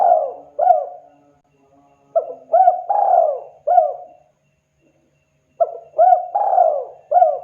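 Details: Two full cooing phrases from a spotted dove calling to fellow birds, each built of clipped arched notes framing one long down-slurred coo, separated by a brief silence.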